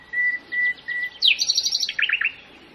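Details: Common nightingale song in Pitehno village, Mazandaran, Iran: steady, pure whistled notes, then a sudden burst of rapid, bright repeated chirps, closing with lower bubbling notes.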